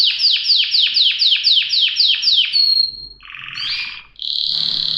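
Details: Canary delivering a fast series of about nine descending sweeps, then a harsh buzzy roll and a sustained steady trill.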